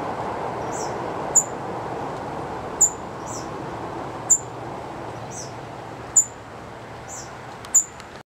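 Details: A young bird on a branch at Clay Pit Pond, Belmont, Massachusetts, on 1 August 2010, possibly a baby catbird, starling or robin, gives thin, very high peeps about every second and a half, with softer answering notes between, over a steady outdoor hiss.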